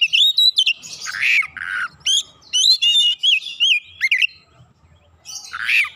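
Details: Kacer, the oriental magpie-robin, replying straight away and forcefully with its isian repertoire. Rapid whistled slurs and warbled phrases alternate with raspy, buzzy bursts, then a pause before one last harsh note.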